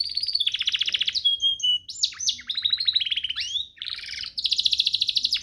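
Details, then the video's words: Master song of a canary for training young canaries: buzzy trills alternating with clear whistled notes and sharp rising-falling sweeps, ending in a long rapid trill. "Masteran Mewah Spesial agar burung kenari cepat GACOR"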